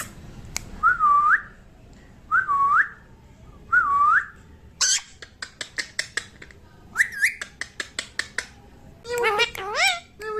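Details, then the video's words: Pet parrot chick saying mummy in a small room: three matching dipping whistled notes about every 1.4 seconds, a burst of rapid clicks, a rising squeak, then wavering voice-like syllables at the end. "qute baby parrot talking mummy"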